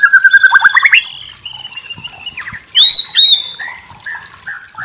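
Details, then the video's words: White-rumped shama tutor recording: a quick trilled burst, then drawn-out clear whistles at varied pitches with two sharp, loud upslurred notes near the end. "Masteran murai batu terbaik"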